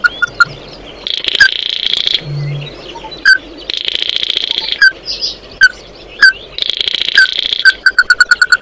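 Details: Oriental white-eye calling the flock, giving buzzy twittered bursts separated by single sharp slurred notes, closing with a quick run of evenly repeated clipped notes.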